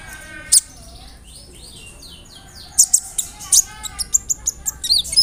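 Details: Kolibri ninja sunbird, in a provoking rolling song filled with mimicked calls: a single sharp high note, a run of descending slurred whistles, then a fast series of piercing high chips and squeaks.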